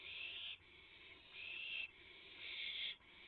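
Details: Owl at a nest during a 3:38 AM rabbit delivery, April 7, 2016; three drawn-out rasping hisses, each roughly half a second to a second long, with brief quieter breaks between.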